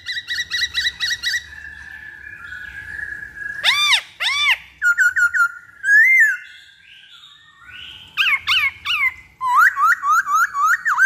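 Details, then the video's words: Black-throated laughingthrush song for luring: five fast repeated whistles, a sustained tone, loud arched notes, a short rapid run, then a lively sequence of bright looping whistles. "Pancingan Poksay Hongkong Paling Ampuh"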